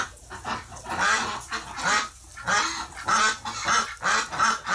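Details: Ducks calling in a flock, reportedly freaking out after one of their members died in the hospital, recorded November 30, 2018; harsh, honking calls repeated in rapid overlapping bursts, about one and a half per second.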